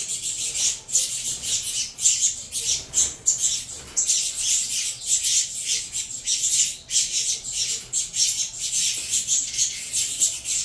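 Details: Saffron finch chicks, a cross of Venezuelan birds, noisily begging while being fed: a dense, continuous chorus of harsh, hissing high-pitched squeals pulsing several times per second without pause.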